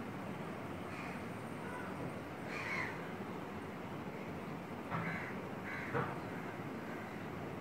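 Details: Female Asian koel on a curry leaf tree branch near a window, heard at close range: four short, rough calls scattered across several seconds, the last two about a second apart, against constant broadband noise.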